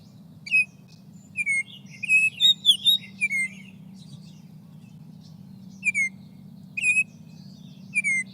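Baltimore Oriole song: rich, flute-like whistles, often in down-slurred pairs, delivered in short bursts every second or two, over a faint low hum.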